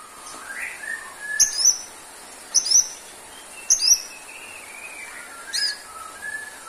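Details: White-rumped shama giving soft, low whistles, then a few bright, high, two-part phrases roughly every second and a half, with a quiet background hiss.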